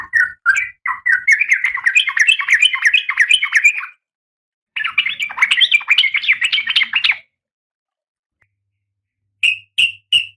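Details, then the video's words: A breeding-condition female oriental magpie-robin calls the male with two long, rapid, scratchy chattering runs, each rising slightly in pitch. These are followed after a pause by three sharp, separate chips. "Suara Kacer Betina"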